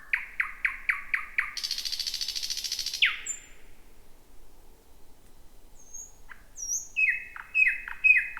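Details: Thrush nightingale, first of 2026, singing at night from deep bushes: a rapid run of loud repeated chuck notes, a long buzzing rattle and a sharp falling note, then high whistles and more clipped notes.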